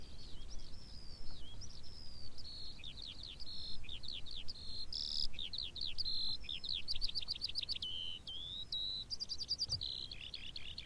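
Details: Skylark singing over moorland: a long, continuous stream of rapid chirps, trills and whistled slurs, varied and unbroken for the whole stretch, with low wind rumble underneath.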